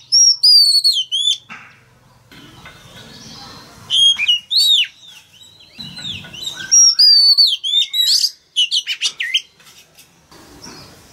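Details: Male Oriental magpie-robin in full song to encourage a young bird to sing: repeated groups of loud, descending whistled notes with quick chirps in between, separated by short quiet gaps.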